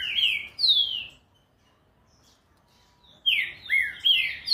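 Green-winged Saltator giving loud, rich whistled phrases of quick down-slurred notes, with a pause of about two seconds between two fast bursts.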